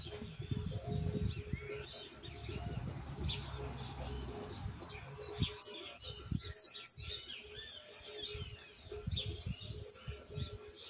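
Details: Young Argentine white goldfinch, a nestling-raised bird still learning and correcting its song: bursts of high, chirpy, rapidly repeated notes and short trills, loudest mid-clip, over a steady low hum and faint low rumbling noise.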